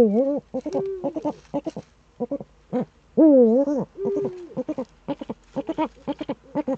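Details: Eurasian eagle-owl recorded in the Eifel, Germany, 26 September 2013, early morning. Starts with a wavering nasal wail, then one steady level tone. A dense run of brief clicks and ticks follows, then another dipping wail and a flat tone.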